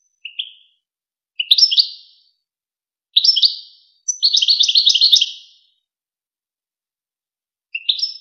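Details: European goldfinch song from a well-known tutoring recording for goldfinch chicks and hybrids: bright chirped phrases, then a longer rapid tinkling trill of repeated notes, a pause, and another chirp; no other sounds.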